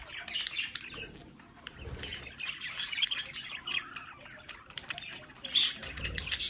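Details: Budgerigars kept at home near a window keep up a stream of warbled chatter, squeaks and sharp chirps, several birds overlapping, with faint low thumps.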